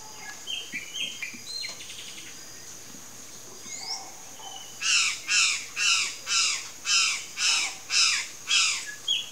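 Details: Palm tanager (sanhaço-do-coqueiro): a few soft whistled notes, then a loud run of harsh, buzzy notes, about two each second, eight in a steady row.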